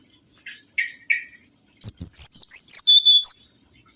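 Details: Mangrove whistler lure recording: three short buzzy notes, then a loud run of about ten whistled notes that descend in steps and finish with a slightly higher note.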